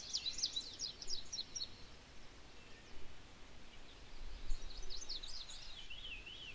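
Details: A male Indigo Bunting sings on his territory in Maine, in an overgrown area harvested a couple of years earlier, in 2012. He gives two bursts of high, sweet paired notes rising and falling quickly, faint over a steady low rumble.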